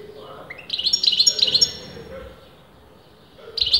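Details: European goldfinch of disputed sex in continuous song: a rising note leads into a second of high chattering twitters, a quiet gap, then another bright burst starts.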